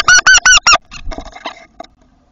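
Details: Eurasian wryneck at a tit nest box: four loud, nasal, evenly spaced notes close a series, followed by faint scattered rustles and clicks.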